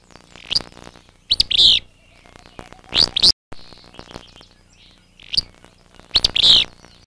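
Willow Flycatcher giving its sneezy, buzzy two-part fitz-bew song, repeated several times at irregular intervals over a quiet background.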